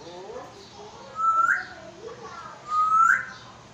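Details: African grey parrot in Pakistan, a talking pet bird that speaks Urdu, gives soft speech-like mumbles, then two loud whistles about a second and a half apart, each a rising whistle with a sharp upswept end.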